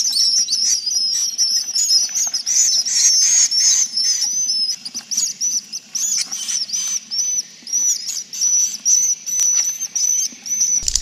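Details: Dense, continuous swiftlet twittering from a roost-attracting recording: squeaky high chirps overlapping in rapid bursts, nearly two a second, with short pauses and a thin steady whistle throughout.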